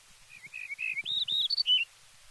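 A yellow-breasted bunting gives a short, clear song of slurred whistled notes that climb in pitch and end on a lower flourish, with faint low rustling beneath.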